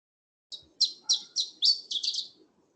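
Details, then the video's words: Iberian Chiffchaff gives a shorter variant of its usual song: a few high thin notes, then a quick run of fuller, slightly lower notes, lasting about two seconds. "Esta Esta variante foi um bocadinho mais curta. Às vezes a sequência não é tão longa."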